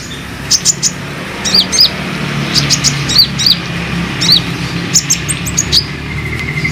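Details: Sunbird lure recording, olive-backed sunbird: scattered sharp high chirps, often doubled, over a steady low background hum, ending with a faint thin buzzy note.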